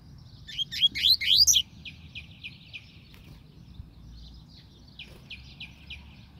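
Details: Double-collared seedeater singing: a loud burst of rapid, steeply sweeping notes near the start, then a softer run of quick chirps repeated in a steady series, over a faint low hum.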